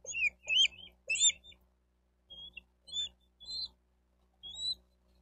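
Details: Bald eagle calling at a nest in Miami-Dade County, Florida, nest cam, 28 May 2023: high, scratchy chirps at first, then spaced, thin whistled notes about every half second, with a faint low hum underneath.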